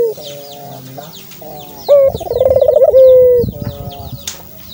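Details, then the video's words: One full Barbary dove coo, meant to set other doves calling. A clipped opening note leads into a rapid throbbing roll and a long level note that gently drops, over soft high chirping from other birds. "buat burung puter mu bunyi karena ini!!!"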